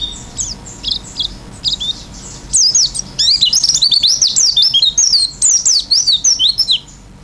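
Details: Oriental white-eye singing vigorously in the filled-in style: soft scattered high notes at first, then from about two and a half seconds a loud, continuous stream of rapid zigzag whistles and twitters.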